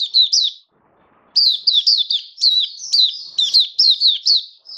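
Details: Oriental white-eye kept as a hobby bird, recorded 21 October 2022 while on a new song-display booster: two quick high chirps, a short silence, then a dense run of bright, falling, twittering notes.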